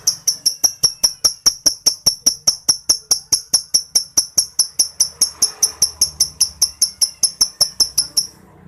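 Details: Lovebird in ngetik ticking chatter, a call used to prompt mute lovebirds to start calling: a long steady series of crisp, high, typewriter-like clicks, about four per second, stopping just before the end.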